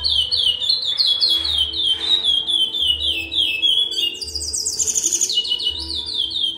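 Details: A male chestnut-bellied seed finch kept for breeding pours out a lively, continuous song of clear whistled phrases, sliding and rising into brighter high notes, over soft low rhythmic thumps.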